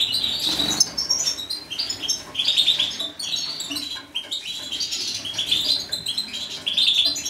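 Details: Twittering, jangling phrases from a breeding male major goldfinch with witkop mutation. High liquid notes come in bursts with short pauses between them, over constant background hiss and a short rustle near the start.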